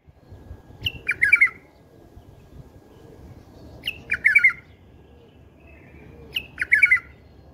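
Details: Bulbul singing a song style prized by bulbul breeders: short rich warbled phrases of a few quick notes, rising then tumbling, repeated about every three seconds, three phrases over quiet low background hum.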